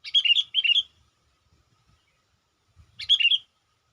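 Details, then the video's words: Calls of a sooty-headed bulbul meant to attract wild bulbuls. Two bubbly chirping phrases come in close succession, then another after a pause. A faint low rumble sounds before the last phrase. "suara burung KUTILANG PIKAT gacor/PIKAT KUTILANG memanggil kutilang liar"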